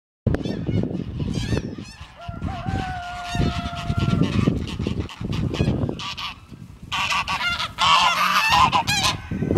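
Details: A flock of 18 geese on a property chases a moving car, giving rough, irregular honks amid broadband rustling and movement noise, with a steady drawn-out tone crossing the middle.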